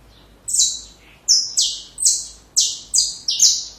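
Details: Saffron finch song used to tutor young birds: one buzzy high note, then a steady series of six harsh, stepped, falling notes spaced about a third of a second apart.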